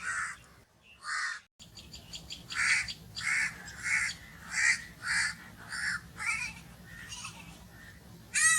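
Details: Two hoarse caws from a crow, a short silence, then a steady run of roughly ten evenly spaced caws ending in a loud, rasping call.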